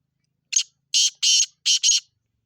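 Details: Black francolin calling: a harsh, grating phrase of five rasping notes, a short first note then longer scratchy ones in two pairs, delivered in about one and a half seconds against silence.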